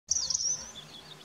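A single high, thin, wheezy Northern lapwing note that wavers, then slurs downward and fades within a second. Faint background noise.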